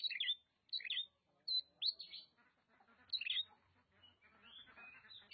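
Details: Oriental magpie-robin from Nagan Raya, Aceh: a few loud, clear whistled notes and short warbled phrases separated by brief pauses, followed by softer sliding whistles.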